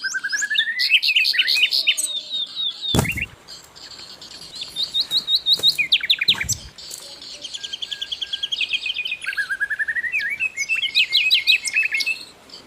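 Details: Asian brown flycatcher in continuous song for songbird training: rising buzzy trills, strings of high chirps and long rapid twittering phrases, broken by a few loud clicks.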